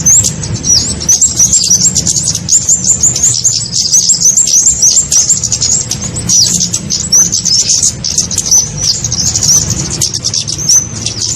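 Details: Long stretch of kemade lure sound for trapping small birds: unbroken, very high, crowded chirping and twitters from many birds, steady in loudness, over a low hum.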